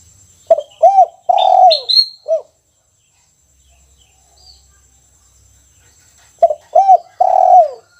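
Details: Caged spotted dove singing in the kuk 1 style: a phrase of short arched coos and a longer drawn-out coo, a pause of about four seconds, then the phrase again. Faint high chirps from another bird.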